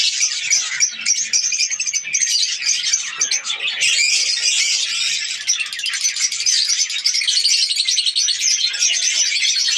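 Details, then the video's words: Budgerigar colony during breeding, dozens of voices in a continuous high-pitched chatter of chirps, squawks and warbled twitters, growing slightly denser after the first few seconds. "australian parrots budgies ke birds colony"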